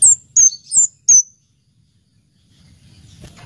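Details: Four loud, high, slurred whistles from an Orange-headed thrush, delivered in quick succession within about 1.2 seconds, then near silence with faint low noise.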